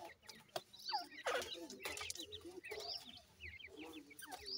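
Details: Several grey francolin chicks call for their mother with rapid, thin, upslurred cheeps that overlap in quick clusters, broken by bursts of scuffling and tapping noise.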